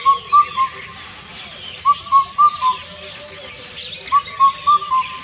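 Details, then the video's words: An Indian cuckoo gives its mellow, whistled four-note hooting phrase, repeated about every two seconds at an even middle pitch, with faint chirps of other birds behind. "Unique Bird Calls - Indian Cuckoo"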